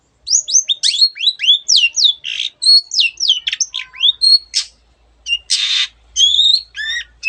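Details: Energetic Long-tailed shrike song full of varied imitations of other birds: strings of downslurred whistles and chirps, a pause, then a harsh buzzy rasp and a few more sweeping high whistles.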